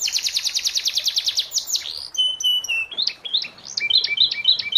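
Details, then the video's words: Canary tutor song meant for moulting young canaries: a rapid even trill gives way to varied chirpy twittering phrases. "masteran kenari paud kenari mabung"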